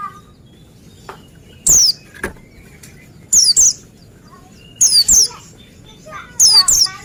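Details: Oriental white-eye giving clipped, very high falling whistles, singly and in close pairs, spaced about one and a half seconds apart, with scattered clicks and faint soft chirps in between.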